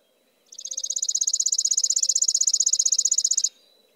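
A chipping sparrow sings one dry, high, even trill of rapid chips, about thirteen per second, lasting three seconds over a faint low hum.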